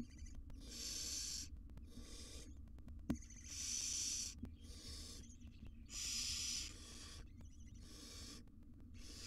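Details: Wild barn owl family in an Israeli research nest box, the mother grooming her chicks; rasping hisses lasting about a second recur every two seconds or so, varying in loudness, with one sharp knock.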